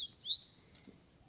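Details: Bananaquit (sibite) fighting a rival bird during a campiada contest in Maceió, Brazil: a short sharp high note, then one thin, buzzy phrase that sweeps upward and fades, with quiet background noise.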